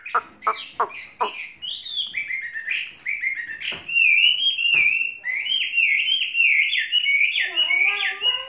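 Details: Chinese hwamei, a tame caged bird trained for three seasons, opening with sharp clicky chips, then pouring out a rich, continuous string of loud whistled notes that rise and dip, ending with lower warbled slurs.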